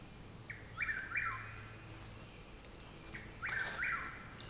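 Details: Chuck-will's-widow singing in woods behind a home, two complete songs, each a quiet clipped note then two emphatic whistled phrases rising and falling, with some faint clicks and a steady low hum.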